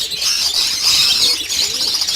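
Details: Caged lovebirds at a large breeding farm with 800 pairs: loud, unbroken high twittering and sharp squeaks from the whole colony, fluctuating slightly in intensity.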